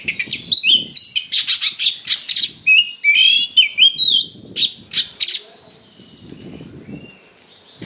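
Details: Oriental magpie-robin belting out a coarse provoking song for fights: rapid rasping notes and twisting whistled slurs for five seconds, then a quieter stretch with a faint held whistle and low rustling.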